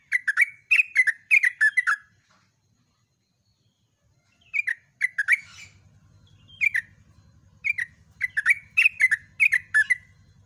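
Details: Yellow-vented bulbul singing at dawn in a long, rapid 'ropel' style: bursts of bubbly, slurred whistled notes delivered in quick runs, separated by short pauses, with a low steady hum in the background through the second half.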